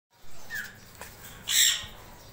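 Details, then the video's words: Grey parrot talking to itself: a short soft whistle, a faint click, then a brief harsh, hissy squawk, in a quiet room. "grey parrot going to self"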